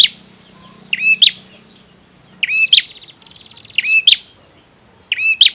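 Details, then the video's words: Bar-winged prinia male in full song, five loud phrases of buzz, ringing whistle and sharp click, one gap filled by a rapid pulsed buzzy rattle; a soft low hum runs beneath early on. "Suara Prenjak Tamu Jantan Gacor"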